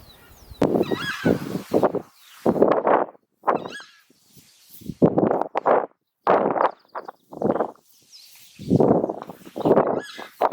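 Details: Southern Screamer (chajá) of central Argentina giving loud, honking trumpet calls in quick paired bursts, roughly a dozen notes over ten seconds, with faint high chirps from small birds behind.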